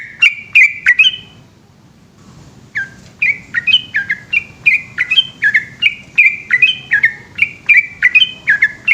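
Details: Yellow-vented bulbul singing at night in the long 'ropel' style. A short burst of chirpy whistles is followed by a quiet gap, then a steady, quick stream of bubbly notes that rise and drop in pitch.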